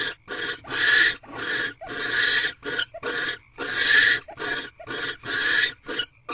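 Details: Male and female barn owls in a nest box on the 27th night of mating, March 2023, after the male arrives with prey; harsh hissing screeches of uneven length swell and fade in irregular bursts.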